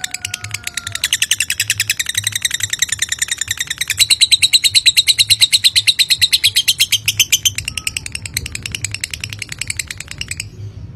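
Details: Lovebird producing an extended ngekek, a long chattering trill meant to draw a reply. Fast, even high-pitched pulses repeat for about ten seconds, swell in the middle, then stop abruptly.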